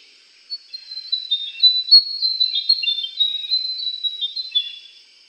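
Andaman bulbul giving a run of quick, high, thin chirps and twitters, several notes a second for about four seconds, with no other sounds.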